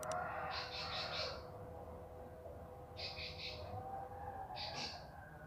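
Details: Bar-winged prinia used as a training recording for songbirds, singing three short high buzzy trilled bursts of rapid pulses about two seconds apart, over a steady low electronic hum.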